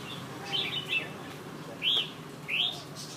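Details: Red-whiskered bulbul, one of two top birds competing against each other in Nha Trang, Vietnam: three short, bright, warbled chirp bursts about a second apart, over a steady background hum, with people talking nearby.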